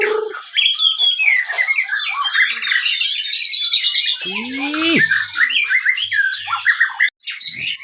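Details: Captive white-rumped shama, a top bird from a breeding aviary, singing as a lure to stimulate other birds: dense, varied high whistles, chatters and squawky notes in rapid succession, with a brief low sliding note near the middle.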